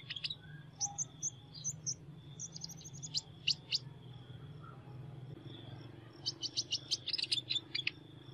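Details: Sunbird in unusual voice: early bursts of high sharp chips and short twittering notes, a quieter middle stretch, then a rapid cluster of high chirps near the end, with a steady high hum and low rumble throughout.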